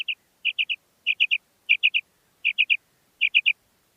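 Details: Common quail female giving her call: rapid clipped triplets of bright notes, one trailing pair then six full three-note groups spaced about 0.7 seconds apart, over silence.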